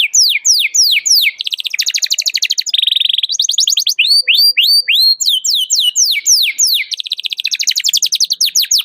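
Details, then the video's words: Canary challenging a rival with cuit cuit song, played to train canaries to sing; quick falling chirps alternate with dense rattling trills and a steady buzzy passage, nonstop for nine seconds. "KENARI GACOR CUIT CUIT MEMANGGIL LAWAN BIKIN EMOSI"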